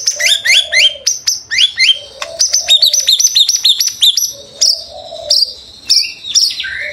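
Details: A white-rumped shama sings to encourage other shamas: bursts of high, stepped chirps and crisp clicks alternate with a lower, drawn-out humming note that returns several times.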